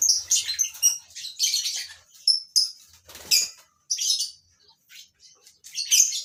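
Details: Several lovebirds in a breeding colony produce rapid shrill chirps and raspy squeaks in irregular bursts, with a few thin whistled notes and short silences between outbursts.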